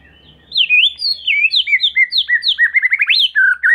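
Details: Energetic white-rumped shama song used to provoke young speckled shamas into calling: swooping, zigzag whistled notes delivered rapidly in a varied run, over a faint low hum.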